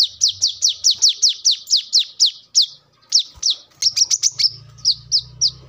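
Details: Brown-throated sunbird (kolibri kelapa) sounding for use as a lure and song model: a rapid train of sharp, very high chirps, briefly broken, then a burst of clustered notes and a few spaced chips, over a low droning hum.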